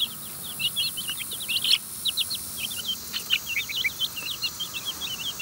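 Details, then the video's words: Domestic chicken chicks feeding in their run, eating from a person's hands: a dense chorus of rapid, high, rising and falling peeps, several birds calling over one another almost without pause, with a faint steady hiss behind. "Feeding the Chicks"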